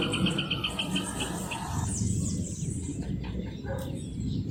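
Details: Rufous hornero opening with a quick series of high, evenly spaced notes for about a second and a half, then fading into rumbling background noise with faint chirps.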